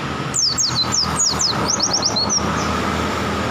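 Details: Wild-caught oriental white-eye singing a rapid string of about a dozen thin, high, downslurred whistles over two seconds, followed by a steady low rumble of traffic.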